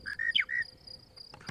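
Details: On a sunny March 19, 2017 morning at Djuma Game Reserve, a male monotonous lark sings his morning song close up: one quick whistled phrase of two level notes, a sharp downward swoop, then a final whistle, over a thin steady insect hum.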